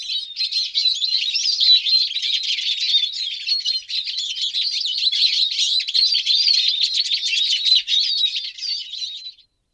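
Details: Eurasian siskin in continuous song, a rapid unbroken stream of high twittering, warbled and trilled notes with scratchy buzzy elements, running nearly ten seconds without a pause, no background noise.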